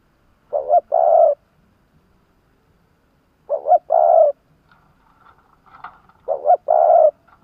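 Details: Vietnamese caged decoy spotted dove used to attract wild doves, giving three spaced double coos, a quick short note and a longer rounded one, roughly every three seconds, with faint soft sounds between.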